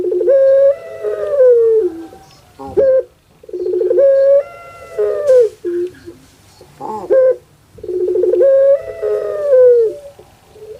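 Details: Caged puter pelung dove, a bird popular in Java, Indonesia, repeating its crying-baby-like call three times: each a rattling burr flowing into a long, slightly falling coo, separated by short sharp notes, about fifty a minute.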